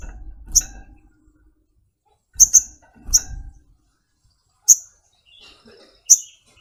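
Little Spiderhunter giving sharp, high chip notes, single or paired, every second or two, with a few soft low thumps near the start.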